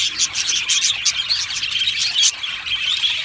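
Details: Chirping and singing from an aviary colony of Australian budgies: quick, bright squeaky notes and warbles from many birds overlapping in a lively, continuous chatter.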